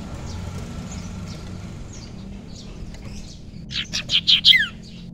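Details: Young wild common iora for luring, after faint notes a brisk burst of four or five loud chirps closing on a downward-sliding whistle, with steady background hiss.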